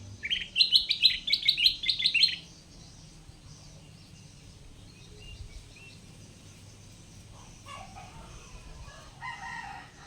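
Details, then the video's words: Sooty-headed bulbul, a once-wild caught bird now caged and tamed, singing actively: a loud two-second burst of rapid high chirps, followed by quiet with faint distant bird notes. "KUTILANG EMAS HASIL PIKATAN AKHIRNYA GACOR! Tiap Menit Bunyi"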